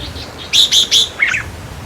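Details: Red-whiskered bulbul song played to rouse caged birds: three loud, sharp whistled notes in quick succession, then a lower slurred double whistle, over faint hum.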